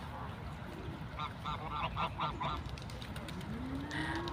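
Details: Ducks in nature giving a short burst of about six nasal quacks in quick succession, followed by a faint rising tone and low rumbling background.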